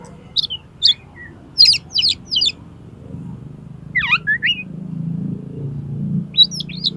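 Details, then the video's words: Oriental magpie-robin song for tutoring and stimulating contest birds: clusters of rapid high chattering notes, a tumbling sequence of slurred whistles midway, and a final burst of sharp notes, with low rumbling noise underneath. "SUARA KACER"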